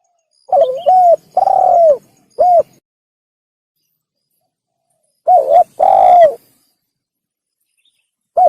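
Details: Spotted dove call for luring in hunting (tekukur): a phrase of stuttered coo, a long arching coo and a short end hoot, then after a pause a second, shorter phrase and the onset of a third.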